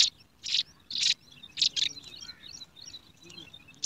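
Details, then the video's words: Nestling yellow sparrows begging for food in a garden nest: four loud, buzzy hissing bursts in the first two seconds, then softer scattered chirps and twitters. "Hungry Sparrow chicks"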